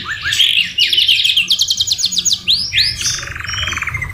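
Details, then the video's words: Canary tutor song rich in white-rumped shama phrases: a buzzy opening, repeated rapid trills at several pitches, and swooping whistled notes ending in a fast rattle. "MASTERAN KENARI MEWAH SAMA SAMA FUL ISIAN MURAI BATU | CANARY SINGING"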